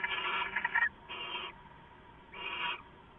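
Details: Owl recorded at 11:58 PM on 2 September 2014: two harsh, hissy, broadband screeches close together, then a third after a pause of about a second, over a steady background hum.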